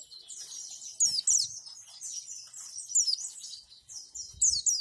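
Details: A white-eye sings a continuous, very high, thin twittering warble with fast rolling trills and sharp, louder bursts every second or two; a master track for training pet white-eyes to copy song.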